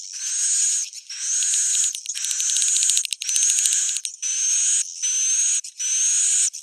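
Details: Roosting call of edible-nest swiftlets, meant to attract the birds: grainy, buzzy bursts with an overlying high whistle and rapid clicking in the middle, repeating about every second.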